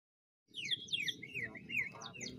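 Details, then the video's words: Short burst of greater green leafbird (cucak ijo) lure song from Banyuwangi in ngentrok style: fluid, looping whistled slurs sweeping up and down, over a low rumbling background. "Pancingan Full Jamtrok -Ngentrok+Volume+Durasi"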